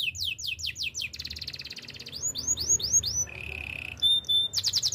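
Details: Canary singing for training: rapid falling sweeps, a dense buzzy trill, arched whistled notes, a low rolling trill and a brief pure whistle in quick, varied succession.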